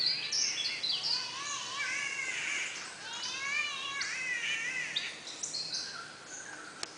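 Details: Rainforest birds near Brisbane, Australia, in full chorus: layered looping whistles sweeping up and down, sharp high chirps, the busy song fading slightly toward the end.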